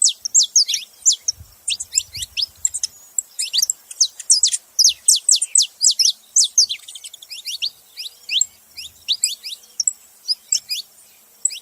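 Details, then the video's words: Saffron finch making noise: a near-continuous stream of bright, high, down-slurred chirps, often several in quick succession, with a soft low bump of handling noise early on. "canário da terra fazendo barulho"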